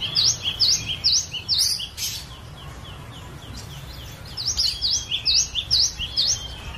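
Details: Captive cinereous tit singing a varied song used as a lure for other songbirds: two bursts of rapid high down-up whistles alternating with lower notes, separated by a quiet two-second pause, over soft hiss.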